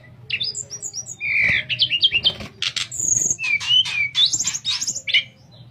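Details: Sooty-headed bulbul singing in the flute-like nyuling style, a recording used to train other songbirds; rapid high chirps and short whistled slurs tumble together in dense bursts, with a faint low hum beneath.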